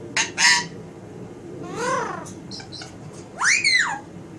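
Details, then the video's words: Pet Alexandrine parakeet calling indoors: two short harsh squawks, a rising-falling nasal call, scratchy chatter, then a loud arched screech. "Leo talking and sound effects"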